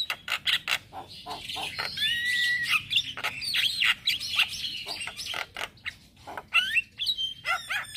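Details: Morning song of a male Javan myna, used as lure and tutor audio for starlings: sharp clicks and chatters around slurred whistled phrases, some rising, some falling.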